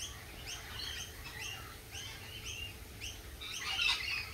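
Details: Lorikeets at a lorikeet cafe give shrill, short chirps about twice a second, ending in a louder burst of harsh screeches. Low background rumble throughout.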